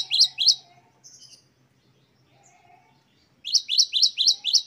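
A great tit gives bright, high chirping notes in quick runs, a pair at the start and a fast burst of five at the end, with softer twitters between.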